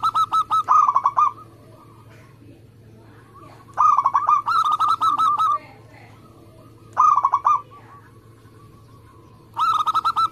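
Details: Local zebra dove, a singer kept for song contests, recorded as a lure to prompt other doves to sing: rapid bursts of bubbling, staccato cooing notes, each burst about half a second long and repeated roughly every three seconds, over a steady low hum.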